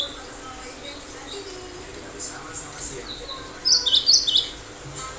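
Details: Lively Cinereous tit song of sharp bursts meant to draw other birds into answering: after a hushed noisy stretch, one quick cluster of four or five high thin notes near the end.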